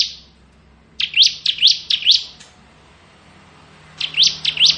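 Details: Bar-winged prinia, crystal type, singing "ngebren" as a model for training magpie-robins: a trailing note, then a run of four quick upward-sweeping high notes, a pause, and three more similar notes, over a faint low hum.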